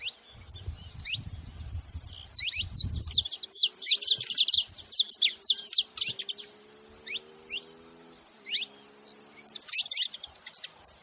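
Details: High, dense twittering chirps from a saffron finch, swelling into a busy downslurred burst midway, with low rumbling early on and a steady low hum in the middle.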